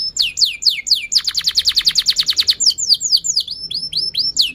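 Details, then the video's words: Canary in long continuous song, meant to stimulate silent canaries and teach young birds: falling swept whistles, a rapid rattling trill, then more spaced, curving whistled notes. "kenari gacor panjang Cuit Cuit EMOSI, Pancingan Kenari Paud Belajar Bunyi"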